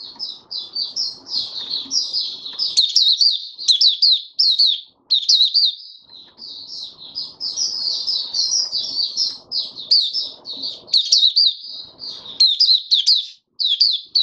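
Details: On the fifth day after its monthly deworm, 20 January 2022, a caged oriental white-eye pours out long sustained runs of high, thin, rapidly modulated twittering, pausing only briefly, with faint low background noise.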